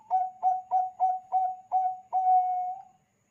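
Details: Bangkok zebra dove song played as a lure for other zebra doves: six quick, bouncing short coos, about three per second, ending in one long sustained mellow coo.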